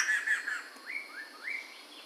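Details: Chinese hwamei, known locally as poksay mantel or Medan, recorded in 2021: soft whistled notes that slur downward, then two short rising whistles sliding up and levelling off, over a steady hiss.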